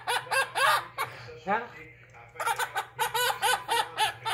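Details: Blue-crowned conure mimicking laughter: bouncy arched 'ha-ha' notes in quick rhythmic bursts, a short pause with a lower drawn note, then a steady run of laugh-like syllables, low hum beneath.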